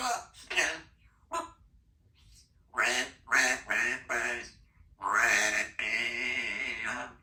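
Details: Chatty female Congo African grey parrot, a pet living in a country home, producing a string of speech-like words and rough, quack-like syllables, ending in a long drawn-out voiced sound.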